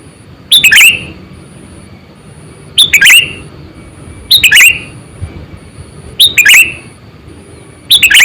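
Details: Sooty-headed bulbul lure recording for trapping: five crisp, bubbly phrases of quick liquid notes, repeated roughly every two seconds with steady rhythm, and a faint constant high whine and low murmur underneath.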